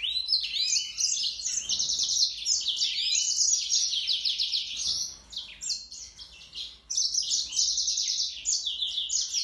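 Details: A yellow-fronted canary sings a fast, continuous twittering song of high trills and buzzy phrases, with only brief pauses.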